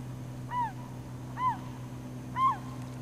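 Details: Glaucous-winged gull at Campbell River, British Columbia, in April 2007, calling while slowly swallowing a starfish: three short arched, nasal calls about a second apart over a steady low hum.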